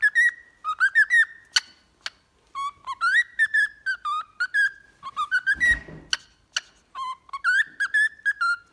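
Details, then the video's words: Cockatiel song to encourage a pet cockatiel to sing: dense, lively strings of short whistles rising and falling in pitch, with one brief noisy burst midway. "Training Cockatiel to singing"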